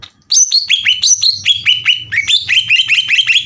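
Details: Green leafbird, 'gacor' song for provoking rival birds: a fast even series of downslurred whistled notes, about two or three a second, stepping down in pitch and then rising again, with a faint low hum beneath.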